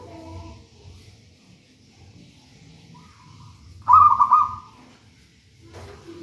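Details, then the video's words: Zebra dove of local wild stock, from a nest in a raja banana plant, giving a single short rolling coo phrase after faint harmonic calls from another bird, with low background rumble. "Perkutut manggung gacor"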